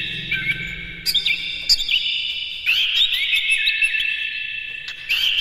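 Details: Captive Oriental magpie-robin in a morning lure recording meant to get other birds singing, in the fast "konslet" style with harsh material. Bright whistled phrases with sliding notes, broken by short breaks, over a faint low hum.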